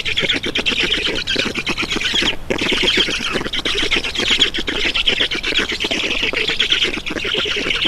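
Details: Black stork nest in Estonia, 7 June 2019, 11:03, adult arriving with water: loud grating squawks churn continuously, a fast rattling pulse beneath, one short pause near the middle.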